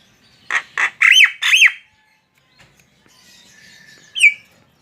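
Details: Javan myna, a tame bird, giving two short harsh notes, two arched squawks, then after a quiet gap one more sharp squawk with a short downward tail.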